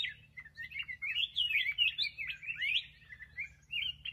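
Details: Black-crested bulbul, a kept songbird, singing a lively run of short warbled, slurred phrases that rise and fall quickly, packed closely over four seconds, with a steady low hum underneath.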